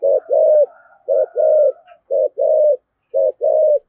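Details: Decoy spotted dove in 'thổ' voice giving 'thúc gù' cooing: three low paired coos, each a clipped note followed by a longer rounded one, about a second apart. A faint thin whistle from another bird sounds behind the first two.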